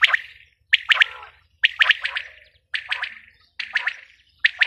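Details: Calls of a female quail: quick clusters of two to four crisp, chirping notes, repeated at a steady pace of about once a second, over a faint low background hum.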